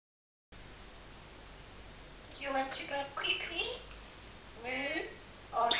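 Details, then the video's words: Pet parrot talking in a hurry early in the morning: short bursts of rapid, speech-like phrases with a nasal, squeaky voice, separated by brief pauses, over a faint indoor hum. "BEST TALKING PARROT IN THE WORLD"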